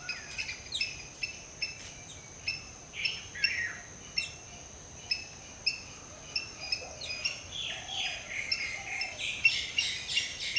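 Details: Black-hooded Oriole (Oriolus xanthornus) calling while preening in an early tropical jungle morning; harsh, slurred notes break in twice amid a steady chorus of sharp, evenly spaced chirps from other wild birds.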